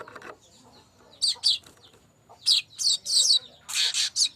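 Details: Manyar kembang, the streaked weaver, singing for use as a lure: a quiet, scratchy start, then bursts of high, sharp chirps that end in a buzzy, rapid series.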